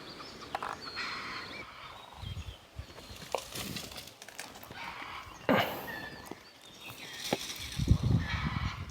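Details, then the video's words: Jungle fowl calling non-stop in Jim Corbett National Park, India, on a jungle safari, taken by the guide as a sign a tiger may be nearby; short harsh cackling bursts among rumbling vehicle noise and rustling. "तो अगर मुर्गी का जो कॉल है वह बहुत ही ज्यादा कंटीन्यूअस है नॉन स्टॉप मुर्गी बोल रही है"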